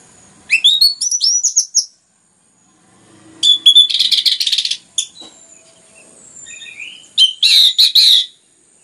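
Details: Orange-headed thrush pouring out continuous song meant to trigger singing in other birds. Rising whistled slurs give way to dense buzzy rattles, with three separate bursts over about eight seconds and a faint soft warble between them.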